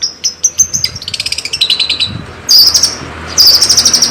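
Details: Long-tailed shrike from Java in lively song with full fill-in phrases. High whistled notes lead into a fast, descending chattering trill, followed by two bursts of bright, rapid warbling.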